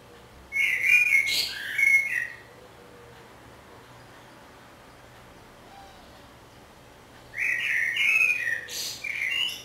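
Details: Singing common blackbird in Budapest, 27 May 2014, filmed from a window hide. Two song phrases about seven seconds apart, each a rich low fluting warble ending in a thin, high squeaky twitter. Quiet pauses between them.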